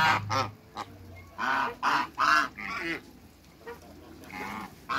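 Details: African geese, a giant couple kept in a backyard, give bursts of harsh nasal honks, some in quick pairs, with quieter gaps and a low hum between them.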